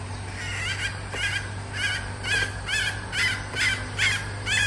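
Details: Female red junglefowl decoy bird giving its call: a series of about nine short, squeaky, wavering clucks roughly every half second, over steady low hum and background noise.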